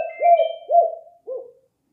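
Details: Spotted dove calling for luring birds: three mellow, hollow coos, each rising then sinking at the end, the first two close together and the last softer after a short gap.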